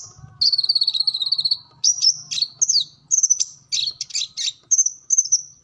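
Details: Sunbird, kolibri ninja, in full-repertoire gacor song used as training material for captive birds: a high trilled buzz followed by sharp, very high chips and short rattling bursts, evenly repeated.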